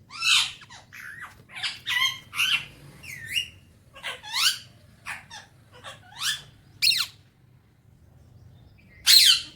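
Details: Talking Alexandrine parakeet enjoying morning time, giving a run of rapid harsh chirps and squawks, some rising and bending, in irregular bursts with short pauses. A last loud squawk ends the sequence indoors.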